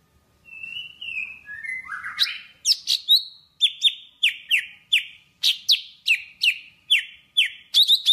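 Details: Java sparrow singing to call the flock: soft rising trills open the phrase, then a rapid series of sharp, high descending notes repeated about every third of a second, clean with no other sounds.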